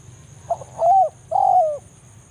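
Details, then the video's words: Spotted dove (tekukur) in forest, a lure call used to draw in a rival: a short soft note, then two clear hooting coos, each slightly rising then falling, about half a second apart, with a low steady hum beneath. "cara pikat BANGGO full memanggil lawan di hutan"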